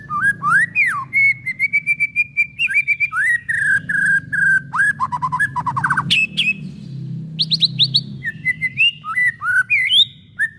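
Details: White-rumped shama song for encouraging other shamas to sing: a long, varied sequence of clear whistles, rising and falling slurs and quick chips, continuous throughout, over a low steady background hum.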